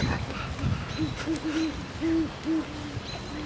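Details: A pair of great horned owls duet on 22 April 2016, trading deep, soft hoots in a quick run of about eight notes at slightly different pitches over a faint hiss, the male near a tree hollow, the female above it.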